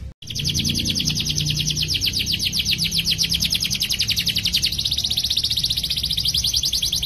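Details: Long rolling canary trill used as master song: a very fast, steady series of repeated buzzy notes, continuous for several seconds after a short gap at the start.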